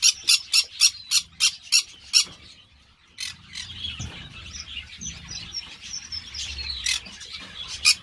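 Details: Green-cheeked parakeet opening with a fast, even series of sharp, high squawks, followed by a softer stretch of mixed chirps and twittering calls with one last harsh squawk at the end.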